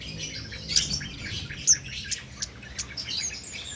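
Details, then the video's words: Cit keres songbird singing continuously without doping, recorded as a master recording for training contest birds; high, thin chirps and short sharp tweets scattered irregularly over a faint low background hum. "Cit Keres Nembak Buat Masteran"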